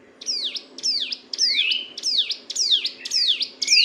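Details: Sunda bush warbler in nonstop ngebren song, used for training songbirds: seven bright descending sweeps in under four seconds, each a high note sliding down, some ending with a rising buzzy tail, over a soft low hum.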